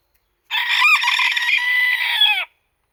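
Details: A single full crow from a pet Japanese bantam, one of two birds including a silver duckwing Ginsasa: a strained, brassy two-second call, steady in pitch with a brief wobble near the start and a dropping finish, in quiet surroundings.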